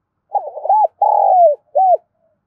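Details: Spotted dove from Đồng Nai giving a calling coo used as a lure: a clean three-part phrase, a stuttering hoot, a long falling coo, then a short arched final note, in quiet surroundings.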